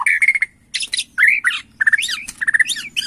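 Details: White-rumped shama from Borneo, agitated and answering a lure recording within seconds: loud varied song of squawky rasping notes, rapid repeated whistled phrases and sharp descending slurs in quick bursts.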